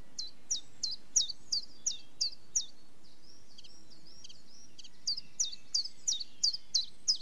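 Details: Common chiffchaff repeating high, falling notes in a steady run of about seven, then a pause with faint softer twitters, then a second run of about eight.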